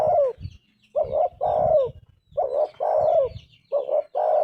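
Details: Persistent cooing from a spotted dove, about four phrases of short paired notes and a falling drawn-out coo, with soft thuds and distant chirping behind.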